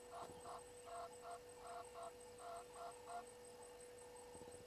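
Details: Natal spurfowl at Gowrie dam waterhole on Djuma Game Reserve, Sabi Sand Wildtuin, South Africa, recorded by a live waterhole camera at 18:08 on 12/04/21. Harsh, grating cackle of about eight notes in uneven pairs over three seconds, with a steady electrical hum behind.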